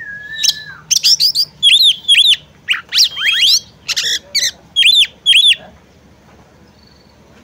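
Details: Female oriental magpie-robin calling to coax a male into singing. A falling whistle opens a dense run of arched notes, chips and rising slurs at about two per second, then fades to quiet.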